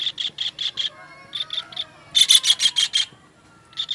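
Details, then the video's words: Kingfisher, recorded as a master track for teaching songbirds: short groups of sharp, high notes, one louder rapid burst in the middle, then a brief quiet gap before more notes. "MASTERAN TENGKEK UDANG"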